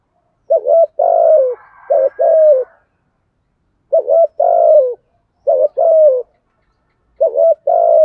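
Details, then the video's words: Fast spotted dove cooing meant to provoke other doves. Four phrases, each a stuttering two-note start then a drawn-out falling coo, come in quick succession with short silent gaps. "cu gáy thúc gù/ tieng cu gay kich boi nhanh noi"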